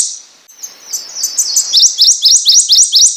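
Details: A soft, high, slurred introduction from a prothonotary warbler builds into a clear series of loud, rising, evenly spaced sweet notes.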